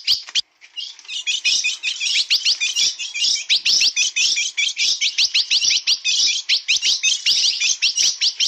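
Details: Steel-billed blue-black grosbeak in na pegada song: a short pause, then sustained rapid, high, slurred chirps packed closely together.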